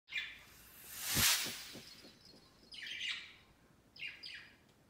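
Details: Pet budgerigars flocking on a Christmas tree set beside their cage on Christmas Day, their first Christmas; a few short, bright descending chirps come before and after a loud rustling burst, and two paired chirps end the clip.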